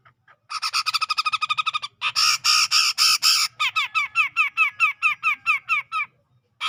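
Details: Tutor recording of a grey-cheeked bulbul from tropical forest near Medan, Sumatra, ngepik style: a quick rattle of harsh notes, then several long, loud rasping bursts, followed by a row of crisp downslurred scratchy notes at a steady pace.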